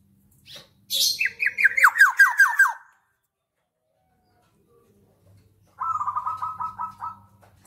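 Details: A black-naped oriole delivers about nine rasping, downward-sliding notes in quick succession. After a pause comes a rapid, even buzzy trill, with a faint low hum underneath.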